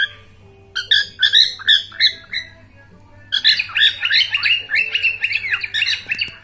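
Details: A cockatiel (Nymphicus hollandicus) enjoying itself gives a run of loud, harsh, squawky chirps, repeated rapidly in bursts.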